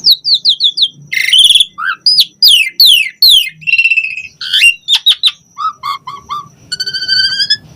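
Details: Asian pied starling giving rich, varied song meant to coax other starlings into singing: a medley of downslurred whistles, harsh chattering notes and steep descending sweeps, ending on a sustained buzzy note.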